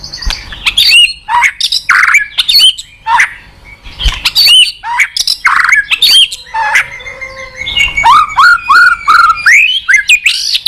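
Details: White-rumped shama song used to trigger a quiet caged bird: a dense string of sharp chips, harsh bursts and short whistles, ending with several clear downslurred whistled notes.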